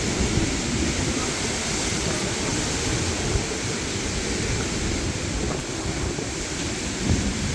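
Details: Steady broadband rumble of wind and passing traffic, with no animal voice.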